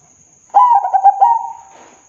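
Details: Single song phrase from a Zebra dove praised for its big voice: quick rolling, bubbly coo notes, then a drawn-out level coo, lasting about a second. A thin steady high tone hums throughout.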